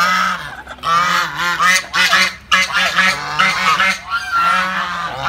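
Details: Several angry geese giving loud, nasal honks that overlap into a continuous noisy clamour, some calls sliding downward in pitch, with hardly a break throughout.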